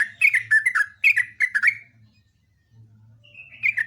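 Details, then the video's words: Yellow-vented bulbul singing vigorously in a long rapid burst: a run of about eight bubbly, falling chirped notes, a pause, then a rising whistled note leading into more chirps, over a faint low hum. "kicauan trucuk super gacor"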